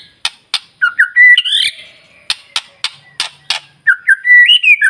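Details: White-rumped shama singing to stir other shamas' emotions; sharp click-like snaps interspersed with whistled, rising and warbling phrases, loud and close.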